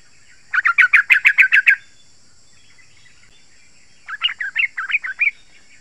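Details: Yellow-vented bulbul song meant to draw wild birds and stimulate caged bulbuls: a quick run of about eight loud, evenly spaced liquid notes, a pause, then a softer phrase of rising and falling warbled notes, with faint constant high hiss behind.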